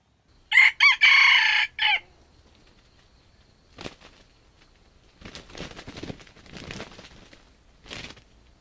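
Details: A junglefowl used for trapping wild chickens gives one loud, harsh crow, a choppy phrase of about four parts lasting under two seconds. Faint rustles and soft knocks follow.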